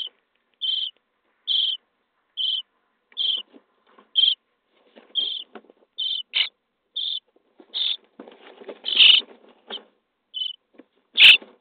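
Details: Nestling common starlings, 23 days old, fed in their nest box: a steady run of short rasping high squeaks about every second, with a scuffling, rustling burst near the end.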